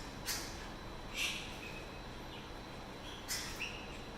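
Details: Captive Scarlet-faced Liocichlas, cautiously investigating a new object in September 2020, signal to each other with four brief, scratchy chirps, widely and irregularly spaced, over a steady background hiss.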